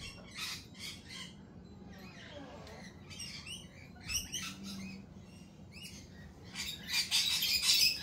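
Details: Scratchy lorikeet chatter at a cafe, short shrill calls repeated rapidly, a faint low voice partway through, and a burst of loud harsh screeching near the end.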